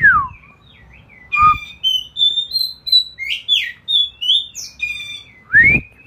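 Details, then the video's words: Ngeplong bird song used to coach a magpie robin. Loud downslurred whistles frame a rapid sequence of thin, high chirps and sliding notes, roughly three per second. "suara ngeplong"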